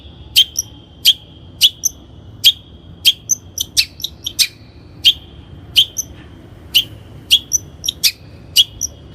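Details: Training lure of a long-tailed shrike: clipped, piercing high notes followed by short ringing tones, repeated at fairly even intervals with small faint squeaks between.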